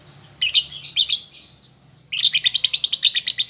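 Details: Young lovebird learning to sing: a thin high note, then two bursts of shrill chirps, a short pause, and a fast even run of about a dozen sharp high chirps.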